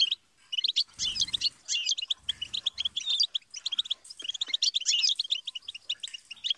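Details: Goldfinch song used to teach songbirds, a busy flow of tinkling twitters and buzzy trills, with a couple of soft low bumps near the start.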